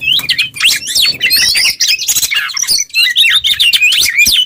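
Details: Kept Oriental magpie-robin singing a varied master song for other birds: quick twisting whistles interspersed with harsh, noisy chatter, nearly nonstop.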